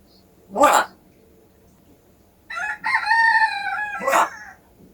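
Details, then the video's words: Pet parrot whose speech is said to be getting clearer, giving a short voiced, word-like phrase with a steady, harmonic tone after a sharp click. A brief noisy burst follows, with a quiet indoor background. "발음이 점점 좋아지는 앵무샤"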